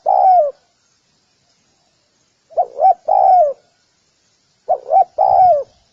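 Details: Spotted dove cooing: a single drawn-out falling coo, then after a pause a phrase of two quick hooked notes and a longer slurred descending coo, repeated once more. Clean, with no other sounds.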